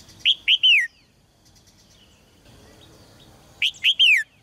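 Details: A caged red-whiskered bulbul, recorded to excite males into singing strongly, repeats the same three-note whistled phrase twice about three seconds apart, each ending in a drawn-out downward slur, with faint chirps between.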